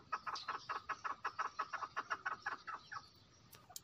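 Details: Calling female chukar: a rhythmic series of throaty, clucking chuk notes, close to three per second. The notes weaken and thin out near the end, followed by a brief high sharp sound.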